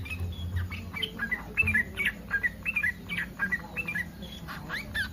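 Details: Yellow-vented bulbul in breeding condition calling to provoke other bulbuls into answering: quick, bubbly, liquid phrases of two or three notes repeated about once a second, over a low background rumble and hiss.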